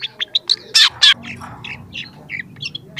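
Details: Long-tailed shrike, a young bird singing hard and beginning to show its repertoire, used to prompt lazy shrikes: quick high chips, two loud harsh rasps, then a softer run of slurred varied notes.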